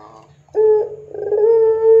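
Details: Lure call from a vigorous puter pelung dove for training others: a short broken lead-in, then a sustained, even, hollow coo about a second and a half long, held steady to the end of the clip.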